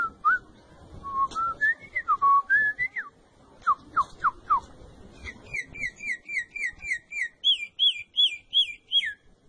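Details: Troupial singing, offered to help a caged troupial learn its song: varied slurred whistled notes rising and dropping, then a steady series of brief rising whistles repeated about three per second, climbing in pitch.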